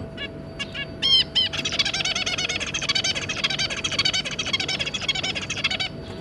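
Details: Zebra finch family, an adult pair with three juveniles, give a few nasal, buzzy beeps, then several birds break into dense, rapid chattering and song with a faint steady hum behind.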